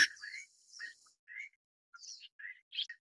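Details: Taiwan bamboo partridge, an endemic bird of Taiwan's mid- and low-elevation forests, filmed while feeding a chick: quiet, scattered short chirps and trills, several brief notes with gaps between them and no other clear sounds.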